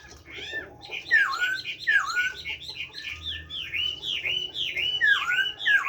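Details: Kept Chinese hwamei singing in the forest-voice style (giọng rừng): a fast, loud run of looping whistled phrases, many dropping steeply then levelling, repeated several times a second with rich, ringing tone.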